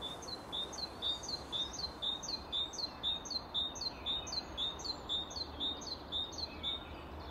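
Great tit repeating a bright, high two-note 'teacher' phrase about twice a second in a steady run, over a soft background rumble.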